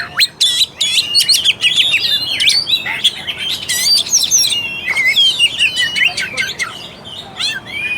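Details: Oriental magpie-robin, called kacer, singing as a lure for lazy, less aggressive birds: fast burst of sharp repeated notes and scratchy trills, then softer slurred whistles and a few clear rising notes.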